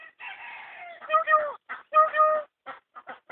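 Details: Myna recorded on a mobile phone: a series of harsh, nasal, gurgling notes with tonal mid-pitched overtones, given in irregular short bursts and longer drawn-out phrases.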